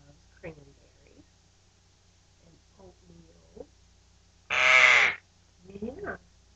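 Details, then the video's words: Young pet male Eclectus Parrot indoors: a single loud, harsh, grating screech, followed shortly by a softer rasping call. Quiet human speech about his favourite foods is heard before it. "Eclectus Parrot RAWRgles aka Screech"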